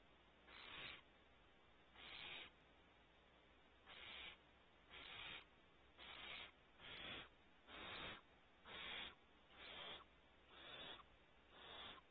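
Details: Barn owl owlets at a nest cavity on Starr Ranch, California, gathered at the front and curious, give eleven harsh, breathy hisses in twelve seconds, each under half a second and evenly spaced, over steady low background noise.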